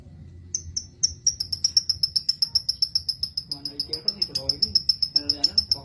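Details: Lovebird song for training young lovebirds toward varied song: after a brief pause, a steady train of piercing high chirps, roughly four per second, with a human voice entering faintly in the second half.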